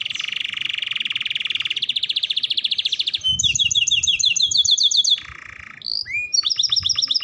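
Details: Brown canary in fine singing form; a rapid buzzy trill opens, then fast repeated downslurred notes, a lower steady buzz, and sharp rising chirps in quick series, all high-pitched and rolling.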